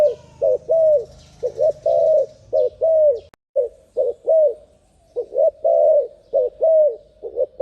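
Turtle dove cooing in quick runs, soft low hollow notes repeated several times a second, each bending slightly downward, with short pauses between bursts.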